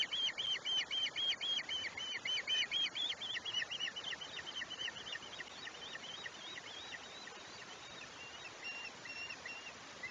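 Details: Osprey calling at a Chesapeake nest in summer, a rapid string of piercing, upslurred whistled chirps about four per second, loud at first then gradually fading and slowing over ten seconds against steady hiss.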